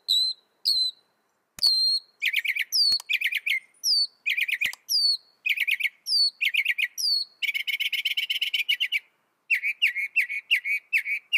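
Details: Northern mockingbird pouring out a varied song. Upslurred whistles and buzzy phrases each repeat several times in a row, then a dense rattling trill, then a new repeated phrase, with barely a pause between them.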